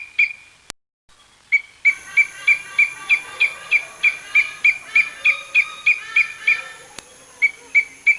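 An eagle gives a fast series of thin, high whistled notes, about three per second, each slightly falling, in a steady chattering run.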